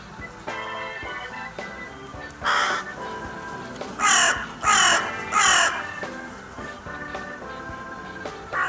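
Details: Crows at the Steinrevier site on 6 January 2022: a few harsh, rasping caws, three loud ones close together in the middle, over steady background music.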